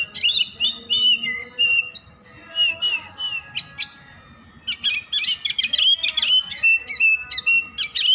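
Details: Oriental magpie-robin in continuous song, fast varied whistles, trills and scratchy chips, a brief lull midway, then a dense burst of sharp notes resuming.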